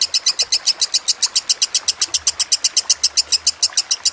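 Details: Fast lovebird chatter recorded as masteran: sharp high notes repeated almost four per second in an unbroken, even stream, with faint low background noise.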